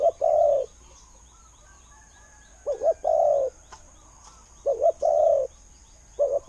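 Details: A spotted dove kept as a decoy, said to have a good khu-ang voice for drawing in wild birds. Low two-part coos repeat: a short stuttered note followed by a long hollow coo, with faint chirping and a few clicks behind.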